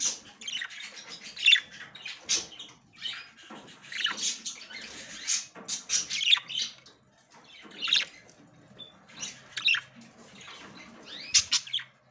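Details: Female budgerigar ready to breed, trying to enter the nest for the first time: harsh, buzzy chattering bursts and short squawks repeated about every second, with a few arched whistled notes between them.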